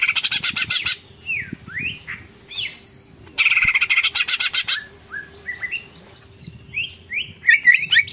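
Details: Long ngekek-style song of a greater green leafbird, full tengkek: fast harsh rattling chatter opens, followed by rising and falling whistled slurs, a second rattling burst midway, then varied high whistled notes.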